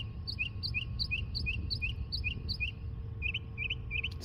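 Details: A Northern Mockingbird singing non-stop from overhead runs through more than 30 different calls in two minutes, including kestrel-like and cricket-like sounds. Here it repeats a sharp, high chirp about three times a second, then switches to a quicker, buzzier phrase over a low hum.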